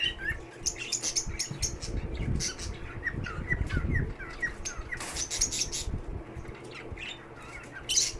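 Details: Lovebirds kept at a shelter for sick birds, with short high chirps and twittering notes scattered through the clip, some sharp squeaks, over low thumping and room noise.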